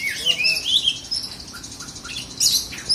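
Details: Oriental magpie-robin from South Aceh, Indonesia, a contest songbird: rich whistled phrases with rising and falling slurs, quick chattering notes and a sharp high burst near the end.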